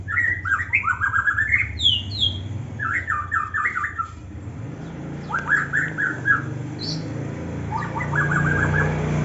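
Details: Young white-rumped shama singing in an Indonesian aviary: short bursts of quick chirped and whistled notes in separate phrases, one high squeaky note, over a steady low hum.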